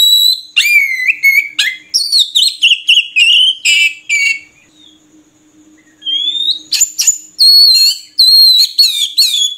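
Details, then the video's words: ['Oriental magpie-robin pouring out a burst of varied whistles and chattering notes, then a pause of about two seconds, then a rising whistle and another run of sharp, rapid notes.'] "Suara Burung Murai Kampung"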